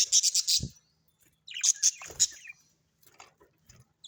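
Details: Budgerigars kept at home chattering in quick, rasping chirps, a tight burst at the start then a second scratchy flurry, fading to faint ticks.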